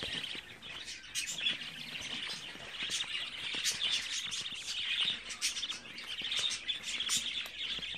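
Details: Dense, unbroken twittering of 24-day-old budgerigar chicks: rapid high chirps and raspy squeaks layered over each other for the whole stretch.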